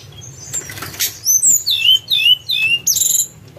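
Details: Lure recording of a Sunda robin: a quick run of high, clear whistles that slide downward, about six notes in three seconds, after a brief fluttering rustle.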